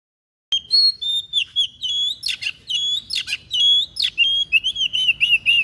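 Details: White-breasted bird with an unusual song, used as a model for training other songbirds: a fast run of high, clear whistled notes, some sliding up and down, broken by sharp buzzy bursts, with no pauses.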